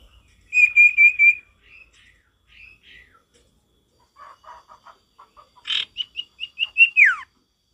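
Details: Male sirtu singing energetically in natural forest style, with a trill of even whistles, scattered soft chips, then a burst of loud high notes that ends in a long falling slur.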